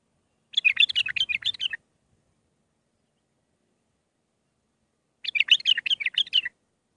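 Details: Mandali-style bulbul song with six phrases, used to train young birds: two rich, fast-warbling phrases, each over a second long, with busy chattering notes and a long quiet gap between them.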